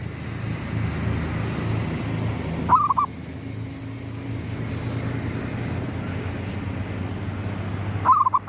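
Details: Zebra dove at sunrise, gedong mengo style lure cooing: two separate phrases about five seconds apart, each a sharp rising note and a quick trill, over noticeable low-pitched background rumble.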